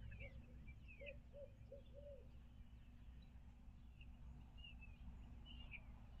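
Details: Barred owl at its nest in Midtown Tulsa, filmed by a stream camera in 2019: a run of five low, rounded hoots in the first two seconds, over steady low rumble, with thin chirps of small birds scattered higher up.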